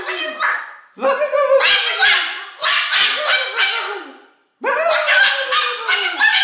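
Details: Pet Moluccan cockatoo, a talkative female, chattering to a person on the couch: rapid strings of nasal, wavering, speech-like syllables in three bursts separated by brief pauses.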